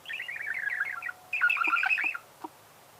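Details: Budgerigar warbling in two rapid chattering runs of tumbling chirps, the second louder and more whistled, ending with a single soft note.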